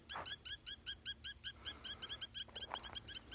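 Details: Rapid, bright, clipped calls of a Spur-winged lapwing, almost three notes per second in a steady run. Two soft low thuds are heard in the background.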